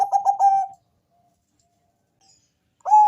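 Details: Bangkok-type zebra dove with a deep voice, singing to lure other doves into calling: a short run of rapid staccato coos, then near silence before the next phrase begins.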